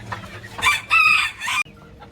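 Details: Young male Ko Shamo (bantam Shamo) cockerel growing up in a coop gives a short, harsh, hoarse crow of a few rasping bursts lasting about one second, then falls quiet.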